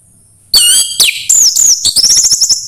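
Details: Orange-headed thrush song played to coax a bird to sing: loud, clear whistled phrases with rising and falling slurred notes, followed by a rapid run of short repeated chips.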